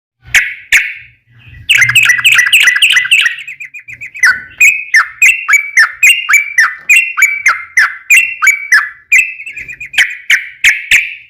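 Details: Yellow-vented bulbul in energetic long, rapid song, used as a lure to make other bulbuls sing back: fast runs of bright chirpy notes sweeping down, repeated about three per second after a short opening, with faint low thumps early on.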